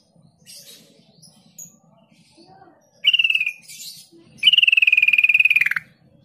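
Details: Lure recording of a sooty-headed bulbul meant to make mute bulbuls respond within seconds. A brief stuttering burst is followed by a longer even trill of quick pulses, falling sharply at its finish.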